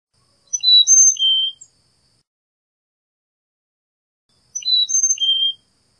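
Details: Two clear whistled four-note phrases from a Carolina chickadee, about four seconds apart, high and low notes alternating.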